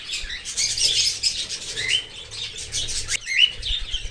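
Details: Young cockatiel in an open aviary, fed by a parent from outside the nest. It gives a steady stream of hissing, grating begging notes with a few brief rising chirps mixed in. Soft low rumble beneath.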